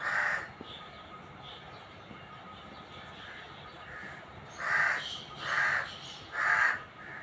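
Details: Black francolin, known locally as kala teetar, giving harsh, rasping, burst-like notes about half a second long: one at the start, then three in quick succession near the end, over a quiet outdoor background.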